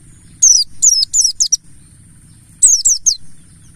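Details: Wild-type mountain white-eye, buxtoni, singing to prompt other birds: a run of four sharp, high descending whistles, a pause, then three more, over a faint low background drone.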